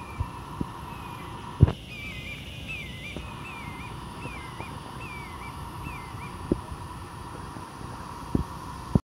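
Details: In Savannah, Georgia, a Red-shouldered Hawk gives a series of about seven short, high, slurred notes in roughly three seconds, faint over a low traffic rumble and a steady hum.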